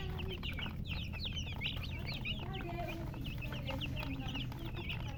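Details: Chicks giving dense runs of shrill, rapid peeps, many birds calling at once above a constant low droning background.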